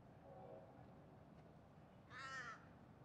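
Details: Torresian crow (Corvus orru) gives one harsh, nasal caw lasting about half a second at a garden bird sanctuary with rainbow lorikeets and crested pigeons, which stop and listen; a faint voice precedes it over low background noise.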